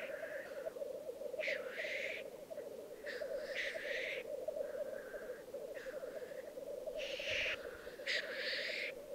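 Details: At a singing arena in Italy's Piedmont Alps, 2022, black grouse keep up an unbroken bubbling drone while repeated loud hissing sneezes burst out about every one to two seconds, some overlapping.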